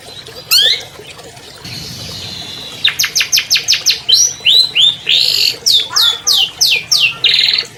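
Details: Caged albino long-tailed shrike with varied song: a lone sweeping note, a short hiss, then a long run of quick sharp chips and mixed whistles and slurred phrases, about three per second.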